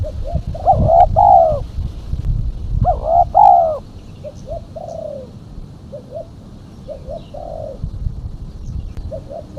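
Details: Female spotted dove calling as a lure for other doves; loud, rich double coos open the clip, followed by quieter phrases of two short hoots and a longer slurred coo, repeated several times.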